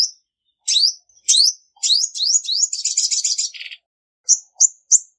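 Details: Female olive-backed sunbird, singing to stir up males, with no background noise: upslurred chirps that speed up into a dense buzzy trill, followed after a pause by three short high notes.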